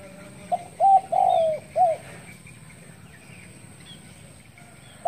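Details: Spotted dove's morning call: a soft lead-in note, a short coo, a long downward-sliding coo and a clipped final coo. Then a pause with faint distant chirps, and a new note starting at the end.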